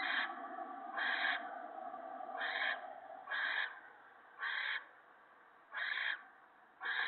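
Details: Owl family at the nest at night on 28 March 2017, an adult feeding a gopher to the owlets: harsh, raspy hissing bursts about half a second long, repeated roughly every second, seven in a row, over quiet background.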